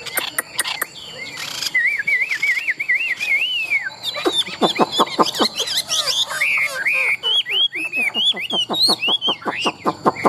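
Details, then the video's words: Competition-singing Chinese hwamei, a tame bird with a large build, pours out a long varied song: wavering whistled phrases, clicks and rattling strokes, then fast chattering bursts mixed with high curling whistles over ten seconds. "Họa mi thuần đét, Bộ to - Đấu hót rất tốt"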